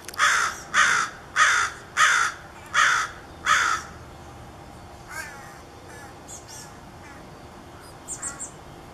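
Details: Chestnut-backed chickadee nestlings begging from a gourd nest on the morning before fledging: six loud, harsh, raspy calls at a steady pace, then quieter rasps and a few thin high notes.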